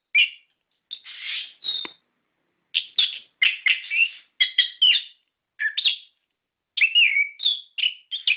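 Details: Lure song of an orange-headed thrush for prompting caged birds to answer: varied short phrases, some buzzy and scratchy, others clear whistled slurs, delivered in bursts with gaps of about a second.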